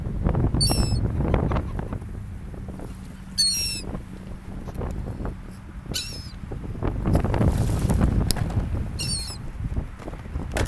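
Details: Seagulls on an ocean beach: short, shrill, quavering cries come in separate bursts roughly every two to three seconds, set against a heavy, continuous rumble of surf and wind.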